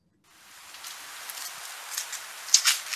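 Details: A Fox Sparrow double-scratching in dry leaves to uncover food underneath: a steady crackling rustle with louder scuffs, and a couple of sharp, high chips near the end.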